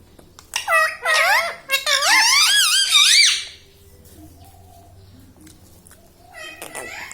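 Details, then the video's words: Indoor pet rose-ringed parakeet that talks, repeating words like mummy and radhe; a run of bright wavering harmonic syllables for about three seconds, then near silence and a faint last call. "parrot talking mithu"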